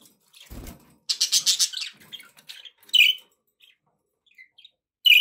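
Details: Pet budgerigars giving bursts of sharp, high chirps in quick runs, with a rapid scratchy chatter early on and isolated bright chirps between short silences; a soft thump is heard near the start.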